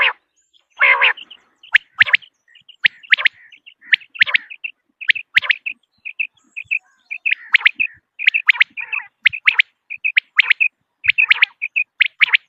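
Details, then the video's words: Calls of common quail used to attract birds for hunting: one buzzy burst at the start, then quick high chirps and clipped whistles repeated unevenly about twice a second for twelve seconds. "بٹیر کی اواز 1 گھنٹے کی Quail Beautiful voice"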